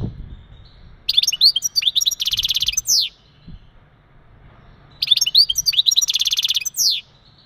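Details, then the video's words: Male European goldfinch mating calls and twitters, used to prepare a female for breeding and stir males to sing: two bursts of rapid, tinkling, buzzy high notes with sweeping chirps, separated by a short pause. "بتبتات ونداءات التزاوج عند ذكر الحسون فعالة في تجهيز أنثى الحسون"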